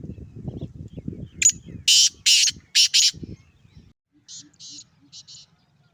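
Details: Male black francolin from Sindh giving its call: low murmuring background, then four loud harsh rasping notes in a quick burst, followed by several shorter, fainter scratchy notes.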